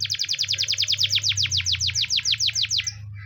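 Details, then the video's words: Russian canary singing a training song: a fast, loud string of sharp downward-sweeping high notes, about twenty in three seconds, with a faint low hum behind. "Russian canary singing"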